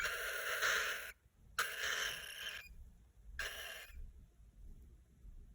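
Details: Young pet cockatiel making baby sounds: three long raspy, hissing bursts of about a second each, separated by short silences, over faint background hum.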